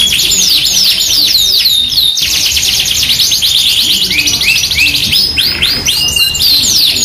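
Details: Vigorous Yorkshire canary song recorded for training or luring canaries. Continuous bright trills, rapid rising chirps and rolling sequences, with lower whistled notes toward the end.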